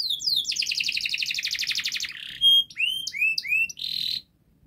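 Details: Young canaries' model song: a dense, fast chattering trill, a brief pure whistle, then scattered rising slurred whistles and a short buzzy burst before silence.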